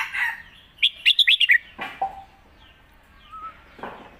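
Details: Competition Red-whiskered bulbul, clear master song mixed with 'lak wai' for teaching young birds: a fast run of about six bright, clipped whistles, then softer scattered chirps and rustles.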